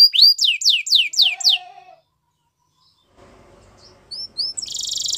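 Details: Canary song: a quick series of sharply falling whistled notes, then silence, faint background noise, a few soft chirps and a short buzzy trill.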